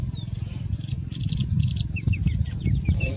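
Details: Singing bush lark in India, mimicking other birds, with paired high chirps followed by short downslurred whistles, over a steady low rumble.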